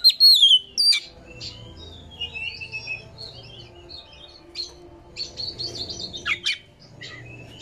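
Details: Oriental magpie-robin song played to provoke a caged bird into tail-spreading and chattering: loud clear whistles open the phrase, followed by busy twittering, high chips and brief buzzy notes over a faint low hum.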